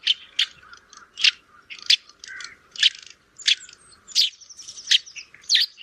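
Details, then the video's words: Sparrow calling in rainy weather: loud, sharp chirps centred high, repeated roughly every half second to second in an irregular series, with softer twittering between them and other chirping in the background. "Beautiful Goriya(Sparrow) calling sound collection"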